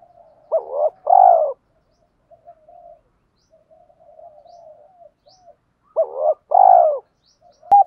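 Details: Spotted dove cooing: paired short coos ending in a long rough descending note, given twice with a quiet low murmuring gap between phrases.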